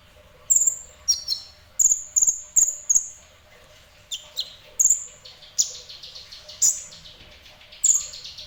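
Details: Sunbird known as kolibri ninja, singing semi-actively: a quick run of sharp, very high chirps roughly every half second, then sparser thin tweets.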